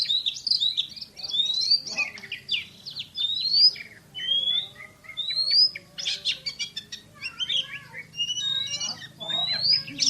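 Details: Champion kacer, or Oriental magpie-robin, singing a varied, loud song with rising whistles, scratchy bursts, rapid chips and mimicry-like phrases in irregular sequence, broken by short pauses.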